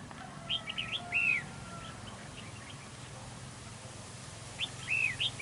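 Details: Red-whiskered bulbul acting as a trap decoy during a territorial fight, giving two bursts of quick chirpy, slurred whistled phrases at the start and end, separated by quiet with a faint low hum.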